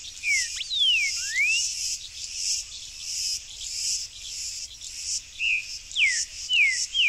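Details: Song of a wild Buff-throated saltator, locally tempera-viola, in a backyard: clear slurred whistles, some falling and some rising, given in loose sequence over a loud, steady, high insect chorus.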